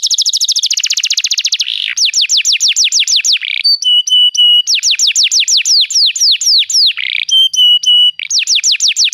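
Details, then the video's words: Domestic canary singing a varied song, played to encourage another canary to sing: a rapid rattling trill followed by repeated sweeping downslurred notes, thin high whistles, and more rolling trills in quick succession. "Seu canário não soa? toque imediatamente esta espetacular canção do canário"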